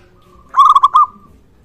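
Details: Local Indonesian zebra dove (perkutut lokal) in lively voice, used as a lure to get other zebra doves calling. One bright cooing phrase of four quick stuttered notes lasts about half a second over a faint steady tone.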